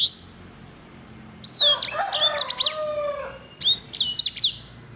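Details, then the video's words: Singing sanger (grey singing finch), whose song has a fine rich roll: a high whistle, then a phrase of sweeping notes over a lower, drawn-out crowing call, followed by another burst of clear slurred whistles. "KICAU SANGER GACOR JERNIH VOLUME PEDAS!"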